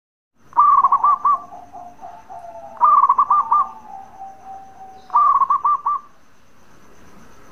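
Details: A local zebra dove in good voice repeats its bekur call, meant to make other doves answer: three bursts of fast, clipped, rolling coos spaced about two and a half seconds apart, each with a drawn-out softer tail.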